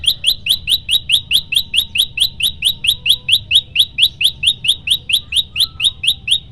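Yellow-bellied Prinia pours out loud, sharp, high chipping notes in a fast, even series, about three per second, with little else in the background.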